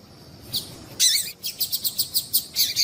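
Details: Female double-collared seedeater (coleiro) gives thin, high chirps, a short burst then about eight quick notes in a steady run; the call is used to stimulate males to sing, with no other sounds.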